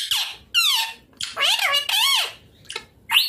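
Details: Pet rose-ringed parakeet, green ringneck, eating chilli indoors, giving loud harsh squawks and bending whistled screeches in bursts with short pauses, indoor room sound.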